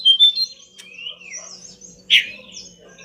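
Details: Pied bush chat, a master track for training caged birds: high whistled notes, a drawn-out sliding whistle, then one loud harsh chip followed by soft high twitters.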